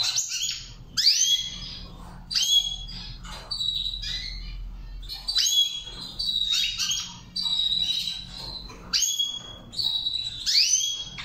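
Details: Goldfinch training song in the Saira char chari style: bright high twittering phrases with sharp upswept whistles and buzzy notes, sung in bursts with short pauses over about eleven seconds, with a faint low hum behind.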